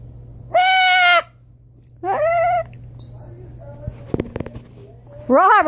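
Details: Blue-and-gold macaw at home playing copy with its owner: a long buzzy harmonic call, a shorter wavering one, then faint clicks and a rising-falling call at the end over low hum.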